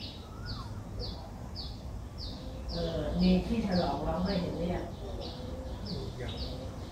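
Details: Ten-day-old Streak-eared Bulbul nestling, Ubon Ratchathani, Thailand, 12 April 2023, repeats short high down-sliding squeaks about twice a second, partly masked midway by a louder low chattering sound.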